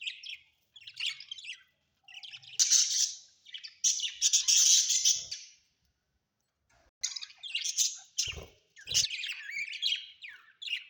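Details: Budgies kept indoors warble and squawk in loud, scratchy bursts lasting a second or two, with a quiet gap midway and a few soft thumps.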